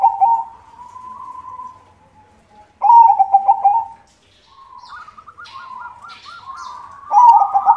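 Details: Active white zebra dove singing as a lure for other doves: loud rolling coo phrases with brief pauses, a separate higher stuttered trill in the middle and faint clicks in the background.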